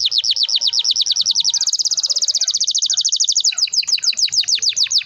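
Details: Canary in full song, a long rolling song used to prompt young canaries to sing: rapid repeated high notes sliding downward, merging into a fast, even trill, then breaking back into quick separated downslurred notes.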